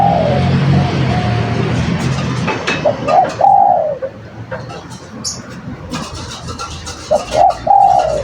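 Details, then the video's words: Spotted dove in chatty lure song: a trailing coo, then a phrase of two brief coos and a long wavering coo, repeated after a pause, over low hum with scattered clicks. "Suara Burung Derkukur Gacor"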